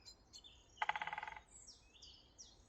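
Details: Woodpecker pecking wood in the woods, heard again: a quick, evenly spaced run of around a dozen resonant knocks over about half a second, surrounded by high, sliding whistles from other birds and a quiet background.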